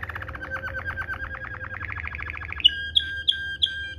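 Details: Waterslager-style canary 'ngerol' tutor song: a steady fast roll of evenly spaced notes for over two seconds, followed by four loud, high, separate whistled chips.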